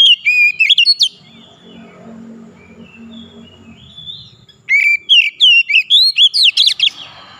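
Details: Oriental magpie-robin, a kept bird, in loud whistled song: two bursts of rapid clear notes sweeping and warbling between mid and high pitch, about a second each, separated by a quiet low hum.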